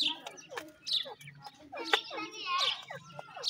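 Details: Grey francolin (dakhni teetar) chicks giving thin, high chirps that sweep steeply downward, several overlapping in quick succession, amid clicking and rustling noises.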